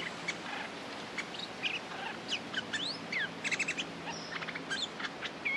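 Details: A fighting-ready territorial male Streak-eared bulbul sings a varied string of chips, quick rising and falling whistles and short rattling bursts. The notes are spaced irregularly over a faint low hum.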